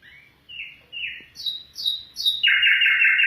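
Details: Afghan bulbul: a few slurred, rising whistled notes about twice a second, then a loud, harsh sustained trill at the end.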